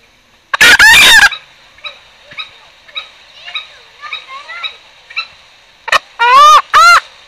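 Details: Green junglefowl lure for trapping: a loud, harsh call burst, then soft clucking notes about twice a second, ending with two strong, arched, nasal calls.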